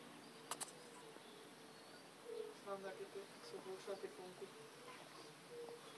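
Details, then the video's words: Greylag goose at Oberer Stinkersee, Illmitz, on 19 April 2013 giving a quick run of low, nasal honks over about two seconds, then a lone honk, with a couple of sharp clicks early on. "Greylag Goose - Anser anser"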